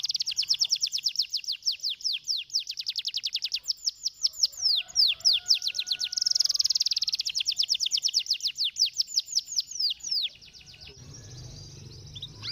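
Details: Stimulating canary song with long runs of rapid, high descending trills, a brief buzzy and rolling section in the middle, then renewed fast trilling before the song stops and a low background hum remains.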